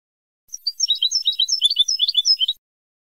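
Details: Old-style Moroccan Ceuta training tape of European goldfinch song, the sanfonia pattern, taken from birds imported via Ceuta with borrowed wild-bird phrases: a brisk burst of high, tinkling chirps and twitters, quiet backdrop.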